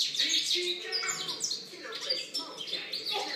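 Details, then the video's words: European goldfinch song from 2013, quick and lively: high twittering phrases, short buzzes and sliding chirps follow one another almost without gaps, over faint lower background sounds. "Chant chardonneret"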